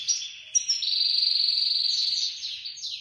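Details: A European goldfinch, grey-headed and black-headed forms both named, gives a high, rapid, tinkling twitter running into a buzzy trill for about two seconds, with a few bright chirps before and after.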